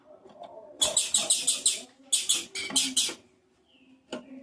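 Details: Female Blue-black grassquits giving the 'macheando' calls said to excite males: a run of about six rapid, high, buzzy notes, then a second run of about five, followed by quiet and a single click.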